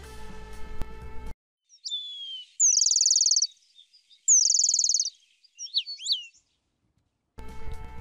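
Eurasian Penduline Tit: a thin, high, drawn-out falling whistle, then two fast buzzy trills and a few sharp high notes, with soft music at start and end.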